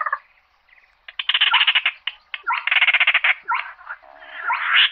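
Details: Calls of a slaty-breasted rail gathering the flock: a harsh opening note, then rapid machine-like clicking rattles and scratchy squawks, building to a loud rasp at the end.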